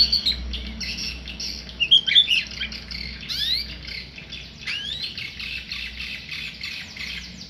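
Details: Tame white-rumped shama singing: varied whistled phrases and short chirpy notes, some sliding upward, with scratchy squawks in between, over a steady low background hum.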